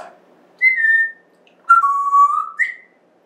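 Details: Indoor pet African grey parrot, recorded September 14th, 2024, giving three clean whistles: a falling one, a long level whistle with a slight rise, then a short upward flick, in a quiet room.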